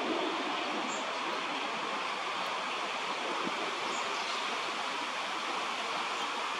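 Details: Steady broadband rushing noise like flowing water or wind, with no animal voice heard.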